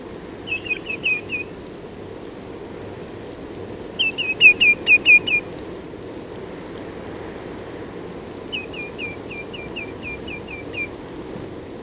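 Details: Common greenshank flight calls in Norfolk, UK: three bursts of ringing, down-slurred 'tew' notes in quick series, over a steady crackly background hiss.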